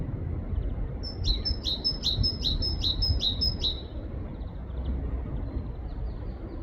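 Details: In a forest in the UK, a great tit repeats a sharp two-note 'tea-cher' phrase about eight times in under three seconds, high and even in pitch, against a constant low roar.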